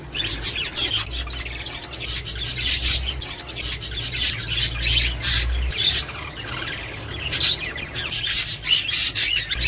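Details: Australian budgerigars warbling, used to stimulate mating, breeding and eggs: dense overlapping chatter of squeaky, scratchy notes and chirps, steady and lively from start to end.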